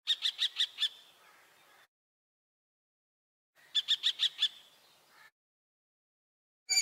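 Common kestrel giving bursts of five or six sharp, high, rapid notes, each burst lasting under a second, with gaps of silence between.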